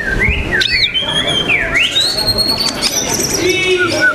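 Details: White-rumped shama (murai batu) singing at a songbird competition on 12 December: loud, clear whistled phrases that slide up and down, then a long rising note held high, with bright high trills and busy background noise.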